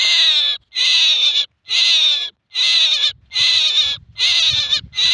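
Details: Male common myna giving rasping, buzzy calls in a steady series of about one per second, with a faint low rumble behind the later notes.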